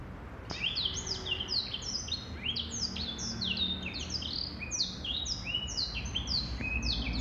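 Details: Male black-throated canary singing a continuous, rapid warble of high whistled notes, many sliding down and others sweeping up, run together without pause over a faint steady hiss.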